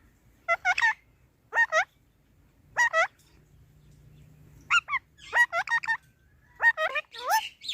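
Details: Parrot talking: short paired or tripled nasal, honk-like syllables with bending pitch, given in separate bursts about every second or two, with brief quiet gaps between them.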